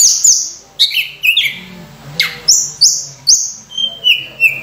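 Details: Full, varied Sunda robin song used for training other birds: a series of sharp high notes repeated roughly every half second, each sliding down into a whistle, closing with a steady descending whistled note.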